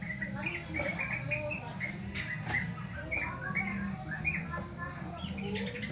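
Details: Sooty-headed bulbul youngster practising its song: loose, irregular chirps and brief whistled slurs, a few sharp clicks, over a constant low hum and faint background voices.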